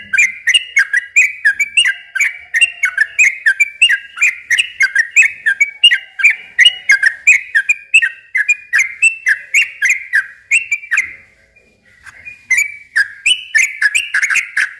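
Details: Long, fast yellow-vented bulbul song used to entice young birds: continuous bubbly downslurred whistles, about three a second, with high ticking overtones, broken by a brief pause near the eleventh second before resuming.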